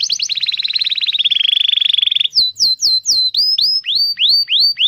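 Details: Canary song for teaching young canaries and reviving silent ones: a long rapid trill that slides slightly lower, followed by loud upward-sweeping whistles repeated steadily.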